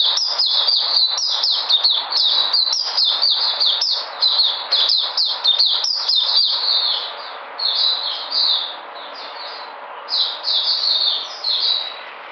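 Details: Puteh white-eye recorded 13 February 2020: six seconds of brisk, tightly packed high chirping, then a softer sequence of separated slurred whistles.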